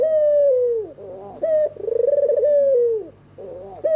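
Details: Albino white turtle dove with red eyes, heard at night. A long falling coo gives way to a bright note and a burst of rapid purring pulses, then another gliding descent. A fresh phrase begins at the end over a faint hum.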